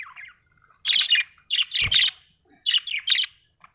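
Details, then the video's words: Budgerigar giving rapid, harsh high chirps and squawky notes in three clustered bursts, with a brief low knock in the middle. "budgie chirping sound"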